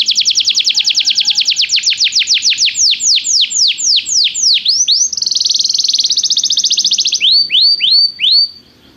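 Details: Canary song for training a Belgian canary to sing: a very fast run of high notes slowing into wide falling sweeps, a level buzzy trill, then a few rising whistles to finish.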